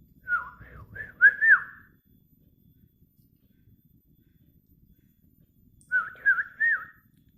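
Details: Sooty-headed bulbul being trained to sing: two bursts of quick, bubbly whistled notes, each phrase rising to a slurred ending, the second after a pause of about four seconds, over a quiet background.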